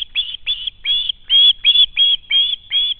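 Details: Osprey young screaming for food after spotting a parent, having flown from a dead tree into the nest: about nine drawn-out, high whistled screams, some slightly slurred, repeated at a brisk, uneven pace.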